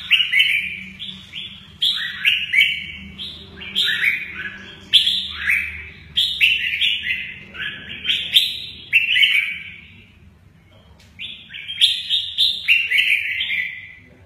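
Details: Red-whiskered bulbul singing "mơ ché nẹt" with lively wing play; a fast, continuous stream of warbled whistles for about ten seconds, then a short pause before the bird bursts into song again.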